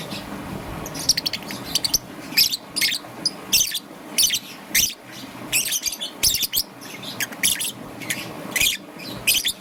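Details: Morning chirps from a young green-and-yellow peach-faced lovebird: short, high, squeaky notes repeated in loose bursts roughly every second or so.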